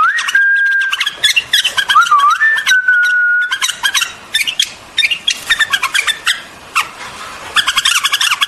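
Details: White-eared bulbul singing for relaxation: long pure whistled notes held level or wavering, then rapid bursts of short chattering notes with scattered chirps.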